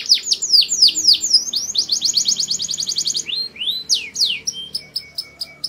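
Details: Rapid falling sweeps from a canary lead into a steady repeated trill. The song then thins to sparse downslurred notes and soft clicks.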